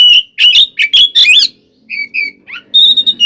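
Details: Fighting song of an oriental magpie-robin, used to make rival birds agitated: quick run of loud whistled and chattering notes, a pause, then pairs of clear falling whistles and a high sustained tone.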